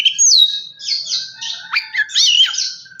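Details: Song of an Oriental magpie-robin used to prompt another bird to sing: quick high whistled slurs, downward sweeps and buzzy notes in a continuous rush.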